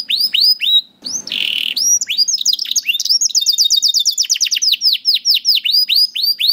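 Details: Canary song for encouraging young canaries to sing: sweeping whistles interrupted by a brief buzzy burst, then a rapid trill leading into steady repeated arched notes.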